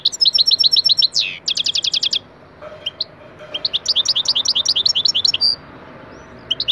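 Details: Pet goldfinch lesson song: quick high twittering, a rattling burst of repeated notes, a pause, then chirping phrases ending with a short buzzy note.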